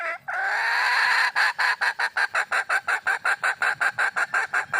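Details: Wild hen red junglefowl seeking a male: a short note, then a long harsh held call that runs into a steady train of roughly twenty rapid staccato cackles, about four per second.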